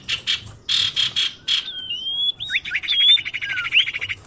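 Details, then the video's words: Common iora lure sound used to attract birds: several short harsh buzzy bursts, a thin level whistle, then a long rapid rattling trill with whistled slurs over it. "suara pikat burung sirdum/sirtu/cipoh"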